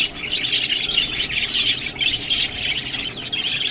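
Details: Budgies feeding on green food, with a constant blend of high twittering chirps and short squawky notes from several birds.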